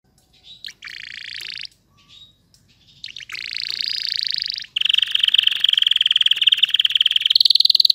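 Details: Canary singing: bursts of dense buzzy and rattling trills, then a long, loud, fast rolling trill that rises slightly in pitch toward the end, with short gaps between phrases.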